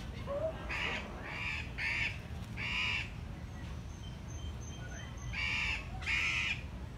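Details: Andean cock-of-the-rock at the San Diego Zoo, very close, giving six harsh, nasal, crow-like squawks in two loose bursts, a surreal, puppet-like voice. Faint thin whistles from other birds sound in the background.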